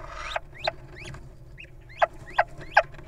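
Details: Little owl in the wild keeping watch while its partner enters the nest box, giving short, sharp rising yelps, spaced irregularly, with a few louder notes near the end over faint background hum.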